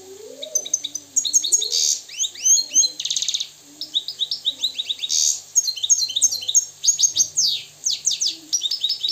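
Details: Moroccan European goldfinch singing a fast, tumbling run of bright twittering notes and short buzzy trills, about three per second, with soft low wavering tones underneath.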